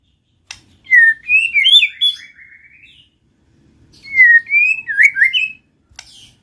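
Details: White-rumped shama song played to get other shamas singing: two clear whistled phrases, each rising and twisting through rich melodic notes, separated by about a second of silence.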